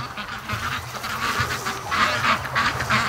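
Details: Domestic ducks rushing home from a day swimming on the lake, probably hungry after being spooked; a busy chorus of overlapping nasal quacks and chatter from the flock, with a low hum and a man laughing in the background.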